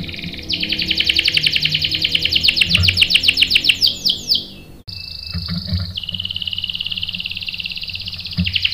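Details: Canary song played to provoke other canaries into replying: a fast rolling trill breaking into quick swooping notes, a short pause, then a high steady tone dropping into a thin buzzy roll over low hum.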